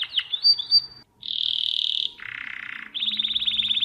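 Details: Domestic canary singing, a recording for teaching young birds: brief twittering and whistled slurs, a brief silence, then a smooth sustained trill, a lower rolling tour, and a rapid bubbling high trill.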